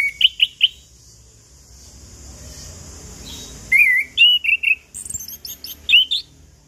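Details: Song of a Chestnut-capped thrush used as a lure for morning, noon and evening: three quick whistled notes, a pause, then a rich stream of slurred whistles with high thin notes above.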